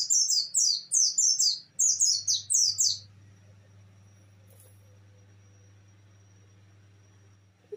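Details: An Oriental white-eye gives its fast, aggressive "nembak" song, used to provoke reluctant white-eyes into singing: about three seconds of thin, very high chattering notes, several per second, followed by a low steady hum.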